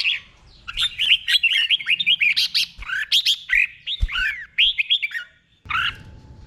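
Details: Slow, clear doubled 'berl' song of a caged red-whiskered bulbul, played for other birds to imitate. A long, continuous chain of rich warbling whistles rises and falls, breaks off near the end, then returns with one short phrase.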